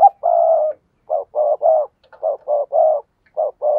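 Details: Spotted dove giving a provoking 'thúc gù' coo, played daily as a lure to stir wild doves into cooing back: a run of soft, hollow coos, a long held note and then short and drawn-out notes in uneven groups, with a quiet background.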